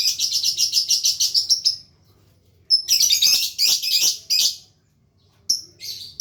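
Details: Lovebird learning ngekek, the long trill. It opens with a fast, rattling run of rapid shrill notes, pauses, then gives a dense burst of harsh squeaky chatter and a few final chirps.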